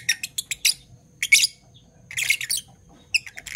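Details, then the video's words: Parblue violet and Parblue turquoise Fischer's lovebirds, pets, in the morning: quick series of five shrill chirps, a pause, then longer scratchy, chattering bursts and a final rapid string of sharp notes. "Lovebird Chirping Sounds"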